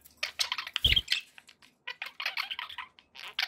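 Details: Indoor pet budgerigars produce quick strings of scratchy chirps and warbles, interrupted by a short thump.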